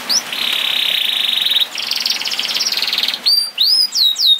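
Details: Canary song, used as a lure to get canaries singing: long buzzy trills pulsing rapidly at one pitch, followed by a few loud sweeping whistles.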